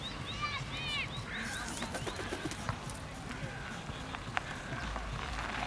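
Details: Black woodpecker (Dryocopus martius), 21 April 2013, Zauralnaya grove, Orenburg, Russia: a few loud ringing arched notes in quick succession, then quieter calls; people talking nearby, outdoor background noise.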